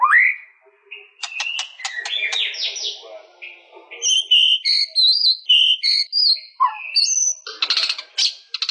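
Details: White-rumped shama in full song, moving from a rising whistle through rattling clicks and slurred notes into high, clear whistled phrases that jump in pitch, ending with a harsh, scratchy burst.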